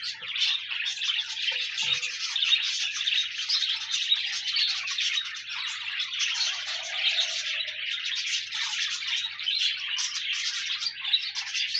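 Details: Continuous budgerigar chatter, many high, scratchy chirps and warbled notes overlapping evenly throughout; pet birds singing to encourage a lone companion budgie to join in.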